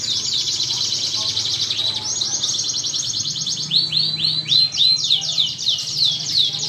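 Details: Canary song, a lure recording meant to set other canaries singing: fast continuous high trills and rolls, shifting into a run of sweeping downslurred notes repeated about three times a second, with a low steady hum beneath.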